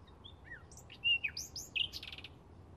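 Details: Bluethroat, May 2016: a short phrase of falling whistles and twangy slurred notes that rises in loudness, with looping high squeaks and a brief buzzy rattle at the end.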